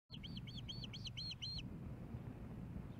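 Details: Osprey at a nest in Hellgate Canyon, Missoula, Montana, on 15 May 2016, as a male delivers a fish to the female; nest camera. About six sharp, arched whistled chirps in quick succession, over a steady low hum.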